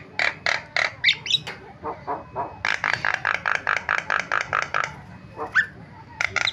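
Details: Starling training recording meant to set silent starlings calling: a run of short, harsh, evenly spaced chattering notes, roughly four each second, with a few squeaky whistled notes between phrases.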